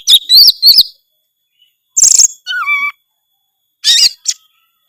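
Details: Gacor-style Oriental magpie-robin song full of isian phrases: quick looping whistles, a shrill burst, then clear descending whistled notes and a final sharp twittering flourish.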